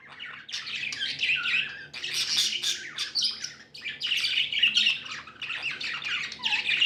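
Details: Several happy pet budgerigars in nearly unbroken scratchy chatter, squawks and high twittering, swelling and fading in waves.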